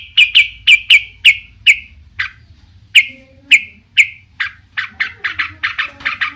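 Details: Varied long-tailed shrike song that stirs other shrikes to answer: evenly spaced sharp chip notes, a brief pause, more single chips, then a quicker series of rasping notes.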